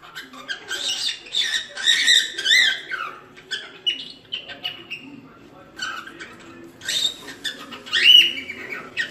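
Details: Cockatiel singing its natural song, meant to train a chick: bursts of mixed whistles and scratchy chatter, some notes gliding, separated by quieter gaps and ending with a sharp, bright whistle.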